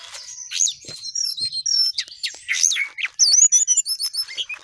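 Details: Sooty-headed bulbul singing at length: a dense, fast run of high whistled and chattering notes, some sliding down, with brief pauses and a louder burst of clipped, repeated twitters in the last second and a half.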